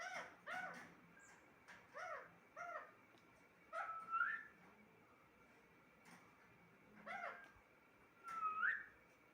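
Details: Talking pet parrot indoors making short clipped harmonic calls in pairs. Two brighter rising whistled notes break up the calls, with long pauses between bursts over about nine seconds.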